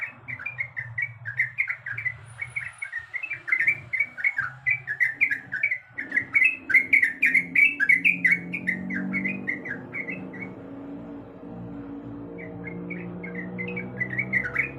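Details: Female sooty-headed bulbul calling to the male with a long, rapid series of bright chattering whistles that grows louder midway, then fades into a broad hissing and rumbling background.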